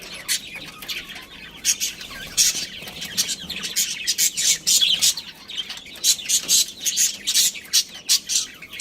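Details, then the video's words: Budgerigars of a breeding pair chattering nonstop: high scratchy chirps and clicks in quick bursts roughly every half second, building to dense twittering through the middle. "Cute Budgies Chirping Sounds"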